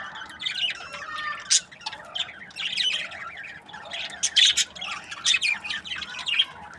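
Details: Budgerigar breeding pairs calling together: dense twittering and chirps with sharp, loud squawk bursts recurring every second or so over a steady background warble.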